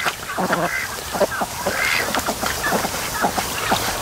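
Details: Resting ducks at a lake on a sunny afternoon, trading short, clipped nasal quacks in quick succession, several birds calling over one another.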